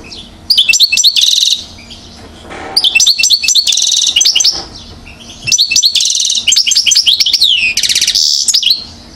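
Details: European goldfinch, aged one year, Mouzaia, Algeria, 2012: repeated bursts of rapid, ringing twitters, each ending in a harsh buzzing trill, coming in four phrases with short pauses.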